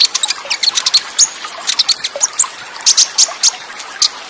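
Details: Konin, or olive-backed sunbird, in a masteran-style recording with water sound: dense run of thin, high chirps and clipped tweets, fired in quick clusters with very short pauses between them.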